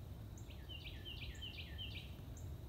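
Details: A Carolina Wren sings somewhere down the hill on an April morning beside the Colorado River in the Texas Hill Country, repeating a rolling phrase of quick whistled notes about every half second, over a steady low rumble.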